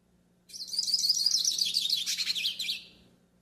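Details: Yellow-faced siskin singing a training song for pairing and warm-up: a continuous, rapid, high-pitched twittering warble with buzzy trills, lasting nearly two and a half seconds before stopping.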